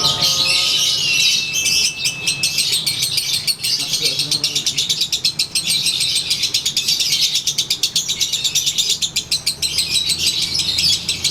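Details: Sunbathing Konslet lovebird in daily ngekek: dense, hissy, high-pitched chattering that pours on without a break, with soft whistled tones at the very start.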